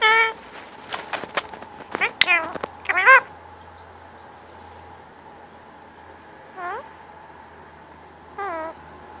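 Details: Attention-seeking pet male Indian ringneck parakeet at cuddle time: a busy burst of clicks and bent harmonic notes early on, then two isolated downward-swooping calls later, with faint low hum.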